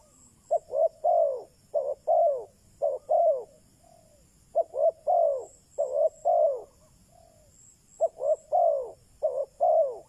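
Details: Spotted dove serving as a decoy for wild doves, delivering clusters of coos, two clipped notes and a longer falling one, in phrases with a short break around the middle.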